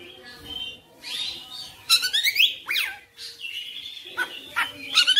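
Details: Oriental magpie-robin's insistent, chatty song unloading its full repertoire: sweeping upward and downward slurs, a long steady whistle and bursts of rapid twittering notes.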